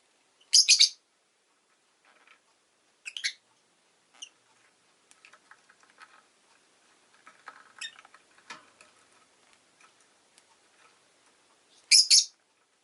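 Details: Pet rosy-faced lovebird making loud, shrill chirping bursts near the start and again at the end, with a shorter call after about three seconds and faint, scattered soft sounds and low background noise in between.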